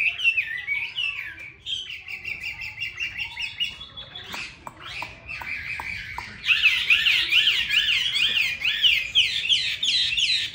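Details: Chinese hwamei kept as a cage bird in Hanoi, Vietnam: varied whistled phrases with sharp clicks midway, then a louder stretch of fast warbling, swooping notes repeated in quick succession.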